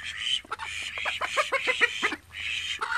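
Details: Call ducks from a flock of thirteen kept in a house calling in mixed quacks, some short and clipped, others drawn-out and nasal, overlapping voices.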